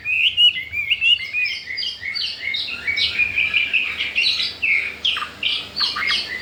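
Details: Chinese hwamei, a wild-caught cage bird four days after arrival and showing readiness to breed, delivering a fast run of varied short whistled and chattering notes, one after another.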